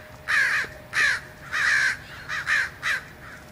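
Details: Flocking American crows in Fresno, California, January, near an ironbark eucalyptus; seven loud, hoarse caws in three and a half seconds, some drawn out and some clipped, with a faint steady hum underneath.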